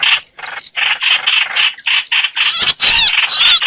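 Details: Lure recording of a streak-eared bulbul used for bird trapping, with rasping scratchy notes in uneven bursts, then brighter fluttering, wavy whistled phrases near the end.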